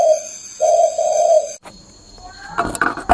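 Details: Spotted dove on a person's hand gives two low, smooth coos, then falls silent as rustling, handling noise and faint voices take over.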